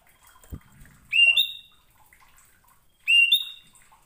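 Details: Common iora whistling, used to provoke other ioras into singing: two separate rising-then-level whistled phrases about two seconds apart, with a soft thump early on.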